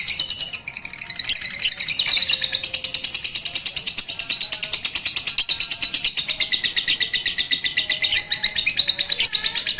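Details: Batman lovebird trained with a master recording atop a roof, April 2021; a long continuous trill of fast, high chirping notes with occasional sharp clicks.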